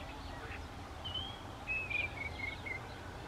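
A starling gives thin, high whistles: one drawn-out note, then a quick run of four or five short, slurred whistles, over steady low rumble and hiss.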